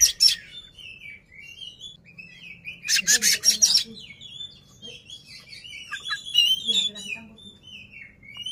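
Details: Displaying Oriental magpie-robin, tail fanned to provoke a rival, pours out a rich mix of sweet whistled notes and chattering twitters with a short harsh rasping burst early on; a faint low hum runs underneath.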